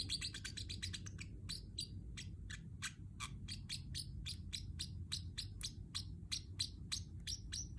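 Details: Pacific parrotlet, a pet bird, chirping: rapid series of short, sharp, high chirps, some dropping in pitch, delivered in quick bursts then steadier every quarter-second, over a constant low hum.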